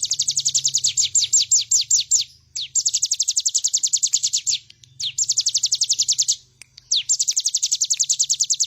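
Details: Bar-winged prinia singing in a recording meant for training other birds: long rapid trills of sharp downslurred high notes, about five per second, in bursts broken by brief pauses, with a faint low hum beneath.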